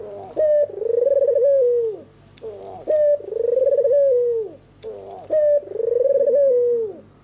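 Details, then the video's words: White red-eyed albino turtle dove singing at night; three cooing phrases about two and a half seconds apart, each a short clipped note followed by a long rolling, wavering coo that slides down at the end, over a steady high whine. "SUARA MERDU BURUNG PUTER PUTIH MATA MERAH MANGGUNG DIMALAM HARI"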